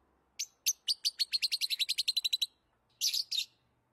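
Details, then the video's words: Lovebird calling: a fast run of about fifteen shrill, high chirps quickening into a rattling series, then a pause and two harsher, buzzier bursts. "Love birds sounds"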